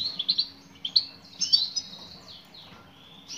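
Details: A female European goldfinch calls to a male with short, high tinkling chirps and a slurred twitter, about two notes a second, fading toward the end.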